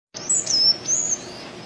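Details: Wild sayaca tanager singing freely: a brief series of high, thin, squeaky whistles, a falling slur followed by a level note, over a faint steady hiss.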